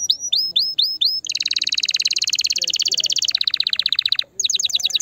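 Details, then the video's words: Canary song for stimulating the female and encouraging mating: five looping upslurred notes, then a long buzzy rapid trill dropping slightly in pitch, a brief gap and quick repeated high notes. "Chant de CANARI pour STIMULER la FEMELLE"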